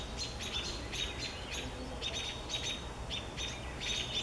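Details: American robins aggressively mobbing a great horned owl to protect their babies: fairly quiet, sharp, high chipping calls repeated in quick irregular bursts over steady outdoor noise.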